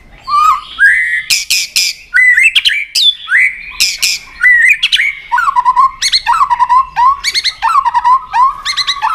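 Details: Loud long-phrased white-rumped shama fighting song while tail-flicking against a rival: rich, forceful whistles interleaved with harsh chattering bursts, phrases sliding down then holding steady, delivered almost without pause.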